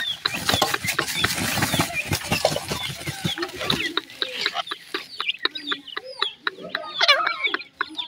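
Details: Grey francolin chicks: loud broadband rustling and clicking at first, then clearer high thin peeps and upslurred whistles calling repeatedly among scattered taps.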